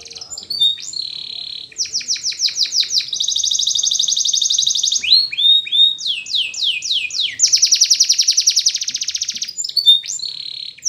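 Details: Spanish Timbrado canary singing for training: alternating sections of descending swept notes and long fast buzzy trills, with brief whistled glides between phrases.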